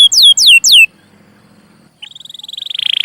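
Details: Canary song from a training recording for young canaries: three bright descending slurs, a short quiet gap, then a rolling trill that grows louder and quicker.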